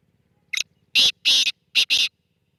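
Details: Black francolin call: one thin lead-in note followed by four loud, buzzy, rasping notes grouped two and two, with a short gap between the pairs; otherwise quiet apart from a faint low hum.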